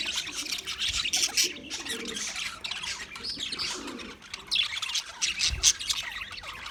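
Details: English budgies warbling on February 14, 2024, a bright, steady chatter of high chirps and short whistles, swelling in two louder waves with soft low murmurs.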